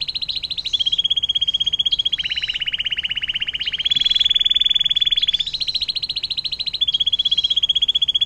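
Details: Canary with long 'air mancuran' song, recorded as a tutor for songbirds: continuous rapid trilling for eight seconds, notes pulsing quickly, pitch shifting between several steady levels.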